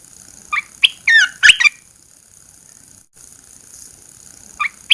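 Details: Caged red-eyed bulbul uncovered after a 14-day covering routine gives a quick burst of squeaky, tumbling chirps, falls silent for about three seconds, then adds two brief notes, over constant high hiss.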